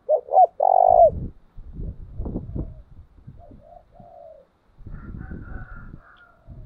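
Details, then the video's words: Spotted dove decoy used to train doves: a loud phrase of two brief coos and a long coo, followed by thumping handling noises, quieter distant coos and faint higher calls. "tiếng chìm cu gáy mồi thúc bổi, luyện cu gáy mỗi ngày"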